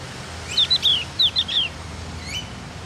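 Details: Bright burst from a Javan White-eye (cucak gentong) learning to sing: five or six loud, high, downward-slurred chirps in quick succession, then a fainter lone note, over a quiet hum.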